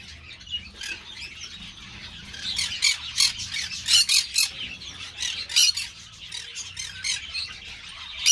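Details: Raspy, screechy squawks from Green-cheeked parakeets (Pyrrhura molinae) at an amateur breeding aviary, building from quiet chatter into a dense run of harsh notes, then easing off again.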